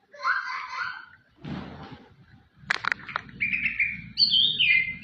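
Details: White-rumped shama contest champion singing warbled whistles, then a rustling burst and sharp clicks, followed by high rising and falling whistled notes; background noise throughout.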